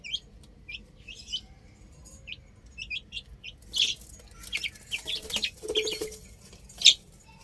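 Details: Chicks on a roof: a few scattered thin high peeps at first, then rustling and scraping noises with louder chirps mixed in toward the end.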